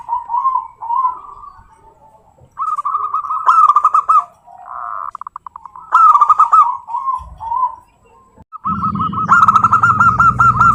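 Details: Zebra dove song to lure local zebra doves: several phrases of fast cooing trills, some loud with a sharp attack, others softer, plus a brief low noise burst near the end.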